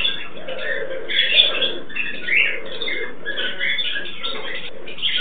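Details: Turquoise-fronted amazons, a captive pair during mating, producing continuous raspy, squealing chatter with a few louder harsh peaks and a low droning undertone.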